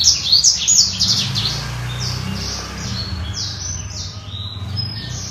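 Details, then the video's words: A Black-throated canary sings a busy, high twittering song, a dense burst of chirps at first, then fainter whistled notes about three per second, over a low hum. "Kicau BURUNG BLACKTROAT SOMERINI GACOR"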